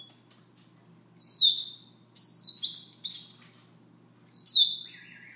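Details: Siberian rubythroat giving its soft morning song: three separate phrases of clear, high, downslurred whistles, the middle one longer and stepped, with quiet pauses between them and no other sounds.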